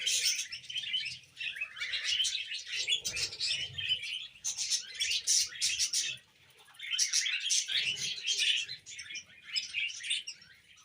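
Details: A group of pet budgies keeps up busy, overlapping twittering: rapid high chirps, squeaky notes and warbles in bursts of two to three seconds separated by short lulls; soft low background rumble.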